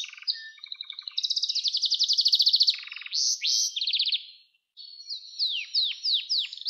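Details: Canary singing for song training of young canaries: varied soft low notes, a long fast trill, a lower rattling burst, short buzzy phrases, a brief pause, then a run of falling whistled sweeps.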